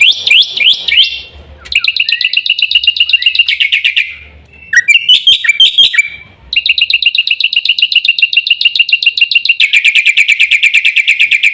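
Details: Black-winged myna (jalak putih) song: loud harsh chattering phrases, rising slurred notes, then long runs of rapid, evenly repeated rasping notes with brief pauses between bursts; no other sounds.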